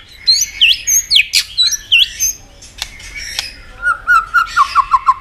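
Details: White-rumped shama in competitive singing, tail-flicking and fired up, delivering a many-voiced song: sweeping whistled loops and sharp high notes, then a quick run of lower descending whistled chips at the end.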